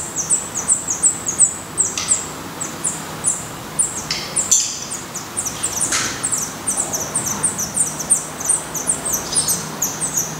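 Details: Black redstart nest in Portugal holding young: quick runs of high, thin, downward-sliding notes, some louder peaks, with brief scraping rustles between them.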